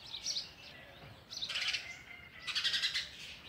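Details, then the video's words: Sparrow chicks begging for oversized food from a feeding adult; harsh, buzzy chirping in three surging bursts, each louder than the pause before. "Sparrow bird is trying to feed it's chicks oversized food"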